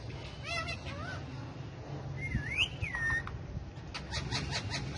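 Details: Talkative pet ringneck parakeet, kept with other parrots: a few soft chirps early on, then a clear looping whistle rising and sliding down, with faint clicks and scuffling afterwards over constant low-pitched room hum.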